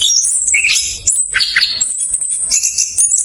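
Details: Rapid, dense song of an orange-headed thrush, used as a lure for reluctant thrushes: high thin whistles and squeaky trills run together without pause, with a few lower slurred notes in the middle.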